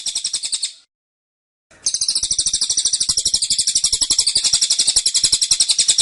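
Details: Caged cililin giving a dense, insistent 'tembakan' burst: high, rapid notes repeated about four times a second, briefly broken by a short silence before resuming steadily.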